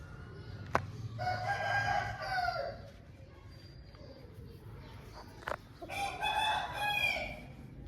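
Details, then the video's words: Two long crows from an Aseel rooster, a home-bred fighting breed, each a harsh, drawn-out cry of rich layered tones lasting over a second, with a sharp click before the first and quiet background between. "Home Breed Rooster Aseel Bird Sound Effect"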